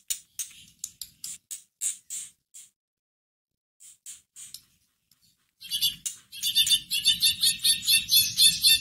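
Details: White-rumped shama lure song for stirring up a caged bird to sing: a run of sharp high clicks and short notes, a pause, then dense fast buzzy chattering with a low rustling underneath.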